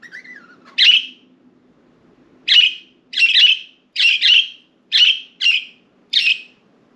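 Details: Caged budgerigars let out to fly freely, resting on window blinds; one brief rising whistle, then a run of scratchy chirps, single or doubled, spaced about half a second apart.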